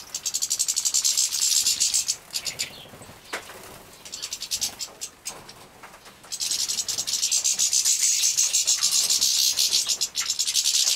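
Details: Fledgling European goldfinches from a breeding aviary in Poland, 2017, being fed. Loud, shrill, buzzy chattering opens and closes the passage, with a subdued stretch of scattered ticks in the middle.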